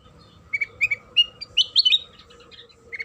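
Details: Sooty-headed bulbul song played as a lure to make other bulbuls answer and sing: short bubbly chirps rising into a brighter warbled burst near the middle, then scattered notes, over a steady faint background hum.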